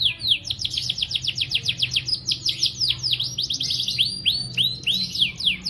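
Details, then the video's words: Canary singing a long-duration song for training young or silent canaries, given as a run of fast rising-then-falling whistled sweeps repeated about four times a second, with buzzy trilled phrases and high ticks above. "Masteran Kenari GACOR Durasi Panjang‼️ COCOK untuk Pancingan Kenari PAUD dan Kenari MACET BUNYI"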